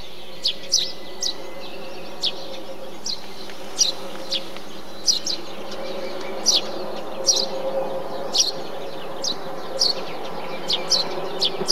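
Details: Eurasian tree sparrow among nesting bee-eaters, uttering a long series of crisp, high chirps at uneven intervals, sometimes two or three close together, over a constant low drone.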